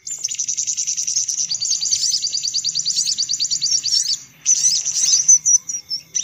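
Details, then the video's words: Noisy sunbird lure recording: a long, even run of rapid, high, clicking twitter notes, a brief pause, then more excited slurred chirps. "Suara Pikat Burung Kolibri Paling Manjur || Sogok Ontong Ribut"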